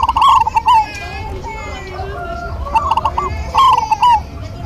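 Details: Local zebra doves duetting and answering each other: quavering coo phrases with clicks at the start and end, while other birds add drawn-out tonal whistles in between.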